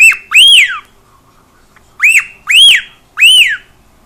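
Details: Cockatiel kept at home gives loud, clear arched whistles, rising then falling, one pair at the start and a rapid trio after a short pause.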